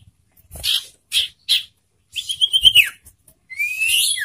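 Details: Caged ashy tailorbird singing loudly: three short buzzy chirps, then a rapid whistled trill sliding downward, ending in a rising, scratchy whistled phrase.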